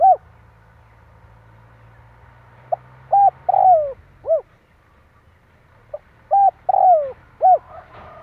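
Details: Spotted dove cooing used to lure wild doves for trapping: two phrases of pip, coo, drawn-out falling coo and final coo, over a steady low hum that fades midway.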